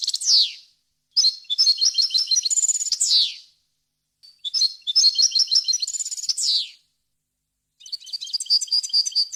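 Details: European goldfinch delivering error-free wild-style song for teaching chicks: three separate twittering phrases, each a rush of high, tinkling notes, the first two closing with a falling buzzy slur, separated by clear silent gaps.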